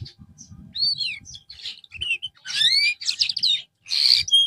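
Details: Canary undergoing therapy after losing form delivers arching whistled notes, then buzzy trilled bursts and a final clear whistle, over faint low background noise.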